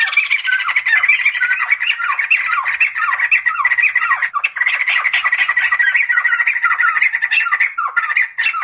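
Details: Sumatran laughingthrush in continuous loud laughing: rapid squawky chatter with repeated downward-slurred notes and a steady ringing tone, almost unbroken for nearly nine seconds.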